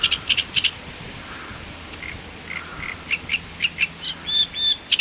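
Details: Great reed warbler singing in Voronezh, Russia, recorded in 2012: harsh, croaking notes alternating with higher chirps and short squeaky phrases, delivered in a rapid uneven series over a steady hiss of background noise.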